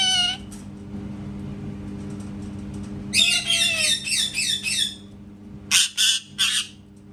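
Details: Pet parrot making cat sounds indoors: an opening nasal cry, then a rapid chattering run of about eight harsh, buzzy squawks, and after a pause three loud rasping bursts.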